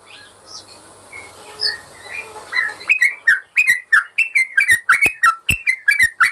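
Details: Yellow-vented bulbul song as a master for birds that will not sing: after soft hissing background and faint notes, loud clear whistled phrases burst in, repeated rapidly and steadily.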